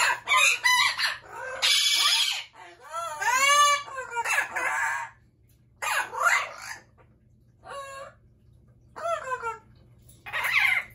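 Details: Noisy Amazon parrots: clusters of raucous shrieks and rippling, arched harmonic squawks, several per second at first, then shorter isolated calls separated by quiet gaps.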